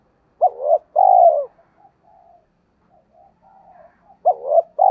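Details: Spotted dove decoy with giọng thổ voice used to prompt wild doves to coo; a full low phrase of a short note and long mellow coo, soft murmurs, then the next phrase starting after about three seconds.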